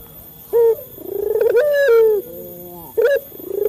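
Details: Cooing of a male local Barbary dove, used to prompt captive doves to answer. A clipped opening note leads into a long, throaty coo that rises then slides down, with another brief note near the end.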